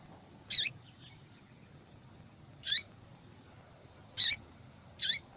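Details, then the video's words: Female double-collared seedeater calling often to stimulate singing in males; four crisp high-pitched chip notes at uneven intervals, with a quieter trailing note after the first, over a faint background hiss. "Fêmea de Papa capim Chamando Muito para Esquentar papacapim"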